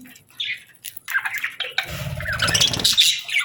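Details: Parakeets chirping in summer, scratchy chirps and warbles building into a dense burst of harsh chatter over low rustling sounds.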